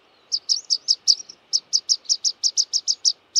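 Rock pipit giving a fast series of thin, high, sharp notes, about five per second for over three seconds, with soft background hiss.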